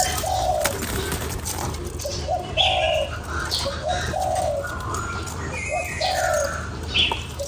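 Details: Cooing of a spotted dove meant to rouse a lure bird: a run of mellow, low coos in uneven groups, each ending in a drawn-out note, while other birds twitter higher up and a low hum persists.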